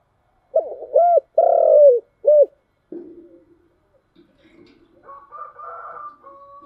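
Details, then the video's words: Spotted dove in the 'giọng thổ chiêu gù' voice: a quick run of low, rounded coos, the middle one longer and falling. Faint muffled rustles and a soft higher tone follow after the cooing stops. "cu gáy/ cu gáy giọng thổ chiêu gù"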